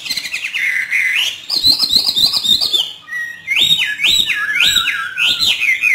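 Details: Caged hwamei trained by a keeper from northern Vietnam, singing in the hót thả style: a long, loud whistled phrase, then looping, rising-and-falling notes repeated in quick, rich succession.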